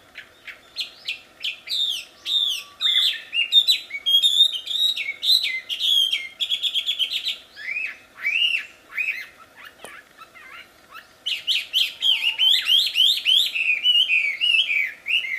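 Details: Loud, melodious wambi song from the wild: long run of varied whistled notes, mostly rising and falling slurs, delivered rapidly with brief pauses, ending in a fast twittering sequence.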